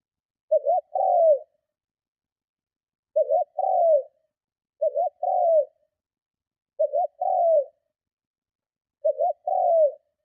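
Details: Spotted dove repeating its strong luring, provoking coo five times, each a pair of clipped notes and a falling drawn coo, at uneven intervals of one to two seconds, no background sounds.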